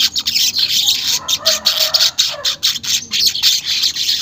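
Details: Weaver chatter, unedited, played to prompt caged birds into song: rapid pulsing buzzy notes, high and sizzling, with faint lower whistled slurs beneath.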